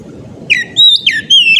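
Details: Oriental magpie-robin singing in the ngeplong style, used to prompt other magpie-robins to sing: a short loud run of clear slurred whistles, dropping then holding steady, over a low background rumble.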